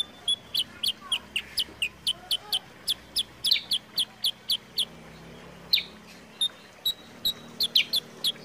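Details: Sooty-headed bulbul song used as a lure and training master. Steady sharp chirps repeat about three per second with brief pauses. A faint low hum runs in the background.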